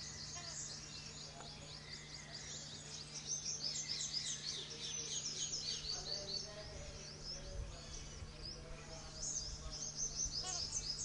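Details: Jungle babbler (Turdoides striata) of the Indian Subcontinent, a gregarious bird. Dense, harsh, high chattering notes tumble out almost without pause and grow louder after about three seconds, over a steady low hum.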